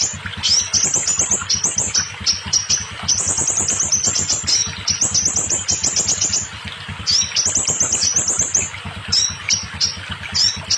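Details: Scarlet minivet singing a series of shrill, high, rising notes in fast runs separated by short gaps, used to make silent or molting birds sing; a soft low pulsing sound continues beneath.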